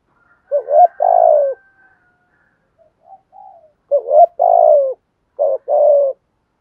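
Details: Spotted doves, a male and a female, cooing as a stimulus to get kept birds singing. Hoarse two-part phrases, rising then falling, repeated with quiet murmuring in between, ending with a shorter clipped phrase.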